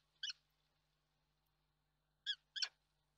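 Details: At a nest in Reda, Poland, on 31 March 2022, a peregrine falcon gives three brief raspy chip calls, one then a quick pair after a pause, over a faint low steady hum.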